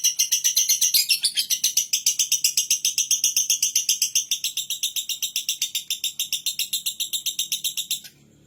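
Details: High, rasping lovebird ngekek, a fast regular series of chirring pulses kept up for eight seconds, then stopping abruptly, leaving a low faint hum.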